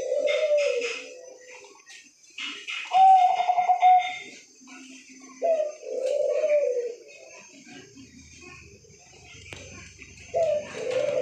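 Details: Actively calling zebra dove (perkutut) with a high trilled coo near the middle, among several other arched, cooing or crowing calls from other birds in a small indoor space.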